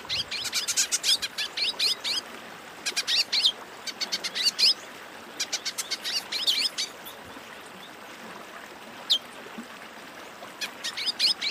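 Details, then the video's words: A wing-barred seedeater (Sporophila americana) sings rapid bursts of high, sharp chips and buzzy trills, each phrase about a second long, repeated with short pauses. "Esquenta Pintada"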